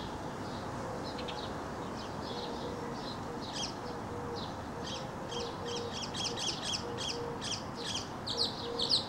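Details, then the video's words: Male mockingbird singing while leaping up and tumbling in a display kept up for as long as an hour; varied short high chirpy and buzzy phrases in quick succession, growing louder toward the end over a steady low background hum. "Mockingbird Song and Dance Routine"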